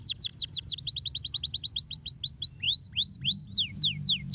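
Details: Canary singing masteran phrases: a quick string of high downslurred chirps, then slower rising whistles and a few deep swooping notes, all bright and clear against faint low hum.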